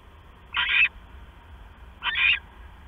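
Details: Owl calling at night while the male brings a mouse to the female, 6 September 2015 near 10:52 PM: two short, raspy, hissing bursts about 1.5 seconds apart over a quiet low hum.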